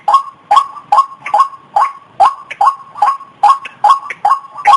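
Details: White-breasted waterhen call meant to lure a mate: about twelve harsh, clipped croaks in slightly uneven rhythm, some notes doubled quickly.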